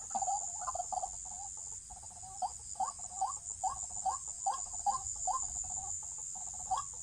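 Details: White-breasted Waterhen during trapping: a droning nasal note breaking into short, sharp, rising calls repeated about twice a second, with a constant high whine in the background.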